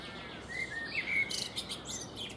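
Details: Eurasian blackbird on a fruit tree, singing while it preens: a short, rising, flute-like warble followed by sharp, high, chattering squeaks, set against a low wash of ambient noise.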